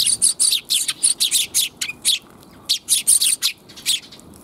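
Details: Several sparrows in a back alley, recorded on 28 January 2022, give bright, sharp chirps in quick irregular bursts, some with short pauses between runs, over a quiet background.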